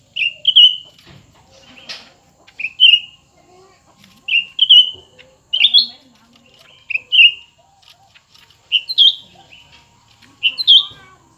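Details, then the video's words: Song contest between two cucak ranting birds, a new bird and an old one. Short, clear whistled phrases, each a quick rising then falling flourish, repeat about every one and a half seconds throughout. "pertarungan antara dua burung cucak ranting baru dan lama"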